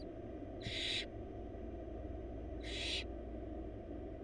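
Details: Barn owl chicks begging in a wild nest box as their mother brings a large bunny to the four young; two rasping noisy hisses two seconds apart with a low continuous hum.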